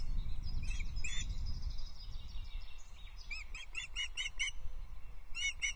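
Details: Osprey at the Loch Arkaig nest, 19 May 2023, during feeding after the male brings the female a small breakfast. A few scattered high chirps, then a quick run of about seven sharp notes and a final pair, over strong low wind rumble.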